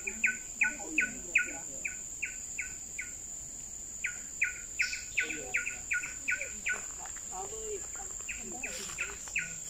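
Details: Coppersmith barbet in Bukit Brown forest, Singapore, on 12 September 2021, giving short, knocking 'tuk' notes, nearly three per second in steady runs, over a constant high insect whine and faint calls of other birds.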